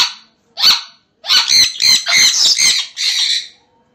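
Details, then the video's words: Sun conure parrots giving loud, harsh squawks: a short burst, a pause, then five rapid grating screeches in a row and a final longer raspy call, all strident and high-pitched. "Parrot Birds Loudly Talking Sounds | Sun Conure Parrot Birds Video"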